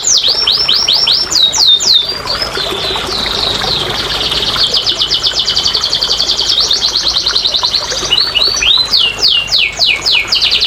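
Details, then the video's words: Canary singing as a lure to get quiet canaries to sing: clear descending whistled notes, then a long fast rolling trill, closing with looping sweeping phrases. "TERAPI & PANCINGAN BURUNG KENARI MALAS BUNYI"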